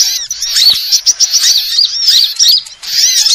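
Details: Sunbirds on a lure recording: quick, high-pitched twittering of curved squeaky notes in close succession, with a brief lull just before the final burst.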